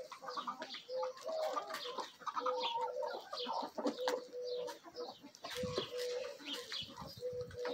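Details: Backyard chickens, a Bielefelder and Golden Cuckoo Marans rooster with Marans, Araucana and Easter Egger hens, feeding eagerly; steady drawn-out tonal clucks held at one pitch, repeated between busy pecking and scratching clicks.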